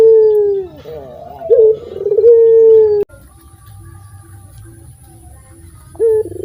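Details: Loud local puter dove, used as a lure, sings two drawn-out low coos, each opened by a rolling warble. A quiet pause with faint background hum follows, then a short coo begins again.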